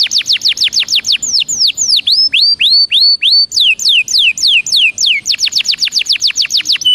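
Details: Belgian canary singing a loud, fast series of high downward-sweeping whistled notes, shifting through several rapid repeated phrases, some slower and some quicker, with no other sounds.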